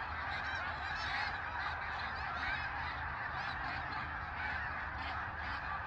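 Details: Snow geese massed in a migrating flock, a species noted for gatherings of 100,000, produce a thick, steady clamour of overlapping yelping honks without any break.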